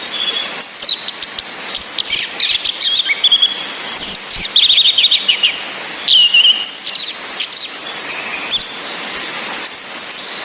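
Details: Female orange-headed thrush whistles mixed with a calm male singing and rain sounds, used to prompt males that only twitter to sing. Dense bursts of high, sweeping and trilled notes come in clusters, with a long thin whistle near the end.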